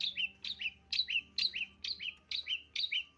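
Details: Long-tailed shrike lure call, repeated two-part chirps of a high sharp note followed by a lower buzzy note, about two per second in a steady series, with a faint low hum beneath.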